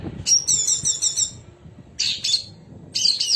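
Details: Sooty-headed bulbul (cucak cungkok), one of several birds with differing song material, known for sharp rolling trills and bursts. A high rapid trill runs for about a second, followed by two short sharp chattering bursts.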